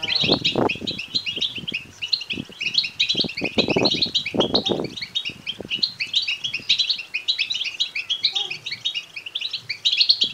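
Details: European goldfinch chicks begging, a call used to rouse males to sing and mate: rapid high twittering in irregular bursts, with loud knocks and rustles during the first five seconds.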